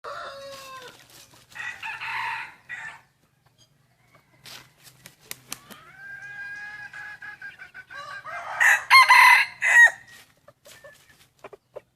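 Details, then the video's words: Wild chickens crow in the morning on the first day of Hmong New Year, 15 December 2020. Several harmonic crows rise and fall in separate bouts, with a loud, rich crow near the end and sharp clicks between. "Qaib qus txuam qua thaum sawv ntxov hmoob peb caug xiab ib ปีใหม่ม้งวันที่1กับเสียงขัน"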